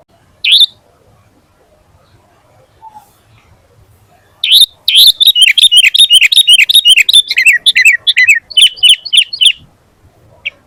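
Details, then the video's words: Sooty-headed bulbul in full vigorous song, used as a training and lure recording to make other bulbuls answer and sing: one sharp chirp, a pause, then a dense five-second burst of rapid, bright, chattering notes that ends abruptly. "SUARA BURUNG KUTILANG GACOR FULL ISIAN"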